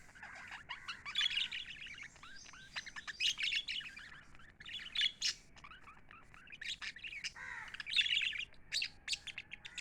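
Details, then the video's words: Several happy lovebirds kept as pets chatter constantly, their bright, scratchy chirps coming in quick clusters with brief pauses, some notes rising or falling, with occasional louder shrill peaks. "Happy lovebirds chirping sound"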